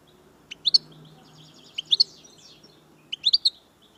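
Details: European goldfinch of the Algerian chardonneret major type singing short bursts of bright, high twittering notes spaced about a second apart, with quiet pauses between phrases.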